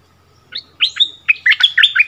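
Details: Song duel between a returned decoy bulbul and the new local resident bird, 3 February 2021: a few separate whistled notes, then a rushed jumble of higher and lower slurred whistles.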